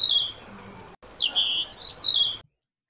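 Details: A European robin sings two thin, high phrases of sliding, liquid whistles and quick warbled notes, split by a brief pause; a small Old World flycatcher (chat family), unlike the thrush-family American robin.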